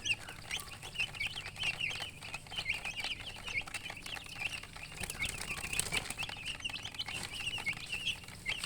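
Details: Freshly hatched chicks piping loudly and continuously, dense overlapping high peeps filling the whole stretch, with rustling and scuffling noise throughout.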